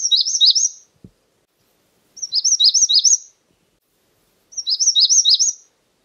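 A Magnolia warbler gives three short, high, sweet phrases of four or five quick rising-and-falling notes, repeated about every two seconds against a quiet background.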